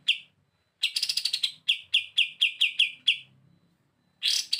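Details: Kapas tembak in lively, active song for use as a master recording, described as a popular 'bren beset' sound: short bursts of sharp, bright chips repeated quickly in stuttering runs, with pauses between bursts.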